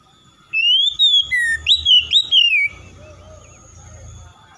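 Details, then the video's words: Kacer, the oriental magpie-robin, singing loudly to stir lazy birds into song. A rising whistled note is followed by five or six choppy, bright phrases, then a faint low rumble of background noise. "SEKALI MENDENGAR SECEPATNYA KACER MALAS BUNYI RESPON IKUTAN GACOR"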